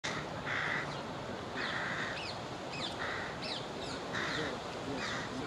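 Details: A begging young carrion crow, rebuffed by its parent, gives five harsh, drawn-out caws about one per second, while thin whistled notes from smaller birds sound over steady background hiss.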